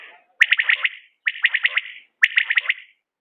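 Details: Common quail calling, linked to quail hunting: three loud bursts of rapid, bright, clipped notes, four or five pulses each, repeated about once a second with short silent gaps between phrases.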